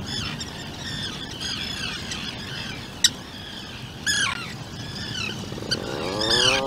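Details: At an Atlantic puffin burrow on Seal Island, where a 2-day-old chick sits with its parents, short hoarse squawks repeat through the clip. A sharp click comes near the middle, and a swelling low droning sweep rises at the end.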